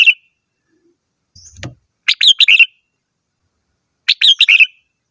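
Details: Red-whiskered bulbul delivering lively whistled phrases of four or five rapid notes, about two seconds apart, with a soft low knock or rustle between phrases.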